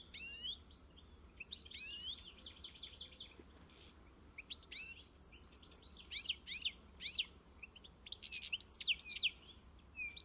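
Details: European goldfinch uttering separate bursts of high, slurred twittering notes and short trills with quiet gaps between, quieter and more broken than a continuous song.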